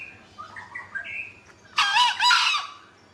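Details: Actively calling green junglefowl gives a loud, rasping, broad two-syllable crow lasting under a second, after soft whistled chirps from other birds, with faint low background hum.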